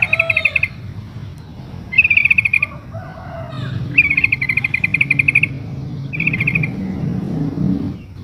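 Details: Female sooty-headed bulbul calling to the male while in breeding condition, used as a lure to make other bulbuls answer. Four bursts of quick, rattling, bubbly notes, each under a second, separated by short pauses over a low background rumble.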